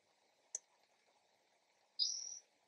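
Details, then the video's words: Backyard spotted towhee heard early in the morning: a brief faint click, then after a pause a single buzzy, high, drawn-out mewing note of about half a second, over a soft steady background hum. "Spotted Towhee call"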